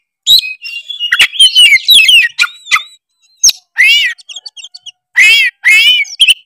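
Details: Oriental magpie-robin of the Tretes type, used as a lure to provoke rivals; twisting whistled phrases and sharp chips, followed by several harsh, buzzy, ringing notes separated by short pauses.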